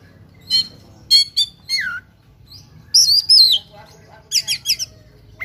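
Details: Fighting oriental magpie-robin pouring out a rich song full of varied fills. Harsh stacked chattering notes and a falling whistle lead into a loud warbled phrase, then rapid buzzy bursts.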